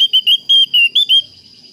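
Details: Javan grey-throated white-eye calling a rival in a clear voice: six loud, drawn-out whistled notes at a steady pitch, some slurring slightly, then quiet with only a faint high hum.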